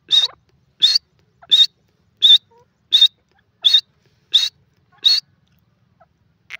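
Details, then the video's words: Grey francolin, known locally as sindhi teetar, calling with a clear, high voice: eight sharp, high notes spaced evenly about two-thirds of a second apart, then a pause and one fainter note. "sindhi teetar awaz,saaf and onchi awaz dakhni teetar"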